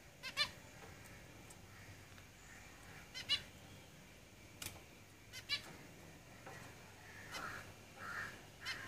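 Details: Zebra finches kept in a cage utter sharp, nasal, trumpet-like beeps, sometimes doubled, spaced unevenly every second or two, with softer murmuring notes between them and a low steady background hiss.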